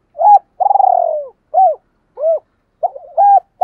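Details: Decoy spotted dove cooing: an opening hoot, a long purring note sliding downward, then rounded single coos and a wavering, trilled ending note in a quiet setting.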